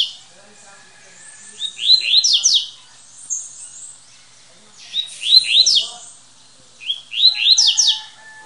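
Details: Double-collared seedeater, a caged champion of a municipal singing tournament, recorded at its breeder's home. It delivers three short bursts of rapid, downslurred whistled notes, each under a second and repeated roughly every two to three seconds.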